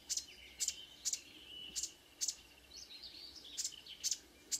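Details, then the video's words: Marsh warbler in early-morning song, June 2009, Kråkstad near Ski, Norway: sharp buzzy notes repeated roughly every half second, broken by a high rapid twittering phrase, faint background hum. "The song of a *Acrocephalus palustris* Myrsanger / Marsh Warbler"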